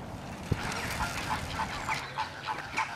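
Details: Gadwall at Slimbridge giving a run of short, nasal, clipped notes repeated about every quarter second. A single dull thump comes early, and other waterfowl chatter runs in the background.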